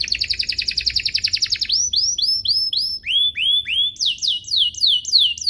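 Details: Domestic canary song used as a master recording to tutor young canaries and prompt them to sing: a fast buzzy trill, then a run of rising-falling whistled slurs, a lower repeated phrase and quick descending notes.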